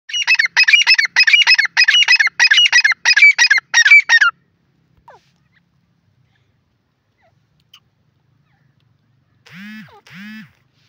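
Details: Grey francolin in jungle: loud, harsh, ringing notes repeated rapidly, about two per second, for roughly four seconds, then near silence, with a brief lower honking sound near the end.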